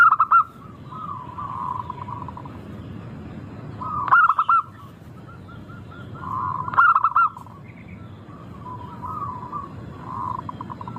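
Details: Local zebra dove (perkutut lokal) with a melodious, crystal-clear voice, used as a lure to get birds singing: soft mid-pitched cooing between bursts of quick staccato notes ending in a rolling coo, phrases about every three seconds.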